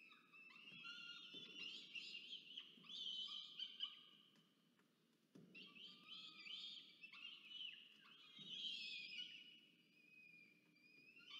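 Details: Two peregrine falcon chicks are fed by the female after the male's food delivery at a research nest box in Orange, New South Wales, Australia, 24 October 2022. Bursts of screechy, rising wails come in two long bouts separated by a brief silence.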